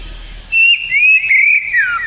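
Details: Oriental magpie-robin, a black-and-white long-tailed songbird, giving melodious song for tutoring other birds: a brief phrase of clear, high, sliding whistles, one falling sharply at the end.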